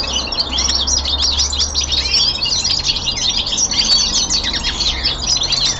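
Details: Caged young male common linnet at home performing its winter descant, a rapid, loud and continuous twittering of high chirps and rattling trills without pauses, over a faint low mechanical hum.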